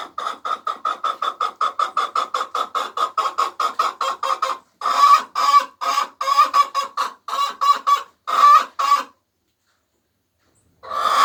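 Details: Egg song from hens laying eggs: a long rapid train of short clucks for four seconds, then slower, heavier clucking bursts, silence, and a final loud squawk starting.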